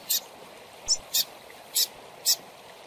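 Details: Young double-collared seedeater chick calling, with calls played to stimulate captive birds: four or five short, hissy high bursts spaced irregularly about half a second apart, over quiet background.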